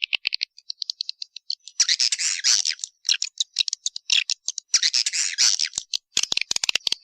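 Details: Walet Naga calling sound for attracting swiftlets: a string of sharp, high ticking chirps leading into long, rasping, buzzy twitter bursts, then more quick chirps and clicks.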